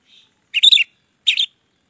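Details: Orange-headed thrush, a singing bird used as a lure to make silent birds sing; two short bursts of rich warbled notes half a second apart, mixing high twitters with mid-pitched whistles, after a faint opening chirp.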